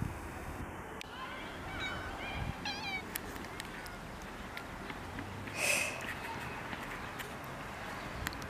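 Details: Common mynas among groundsel in Kiryat-Yam, Israel: a run of harsh, nasal, harmonic notes, several quick stacked chirps, then a louder scratchy burst, against faint rumbling background noise.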